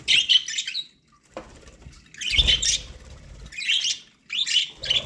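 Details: Pet budgerigars feeding on corn give dense warbling chatter in bursts lasting about a second, separated by brief pauses and soft thumping noises.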